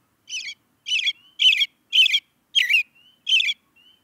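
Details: Six harsh, chattering chirps from an American robin come in a steady series, roughly two each second, with soft thin whistles between some of them.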